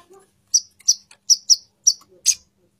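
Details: Female plain-throated sunbird calling to the male: a quick run of about six sharp, high, clipped chirps spread over two seconds, each a short bright note, with a few faint soft sounds in the gaps.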